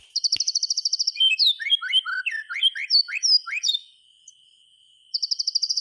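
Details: Song of a white-rumped shama, played to bring silent shamas into song: a rapid pulsed trill, then a burst of varied quick whistled slurs, a short silence, and the trill again.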